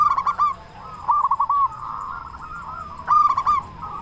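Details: Zebra dove, a local Indonesian bird with a big voice, singing to stir other doves into song; three short bursts of rapid, rolling coos, each a quick run of soft, even notes, separated by quieter pauses with a faint steady hum.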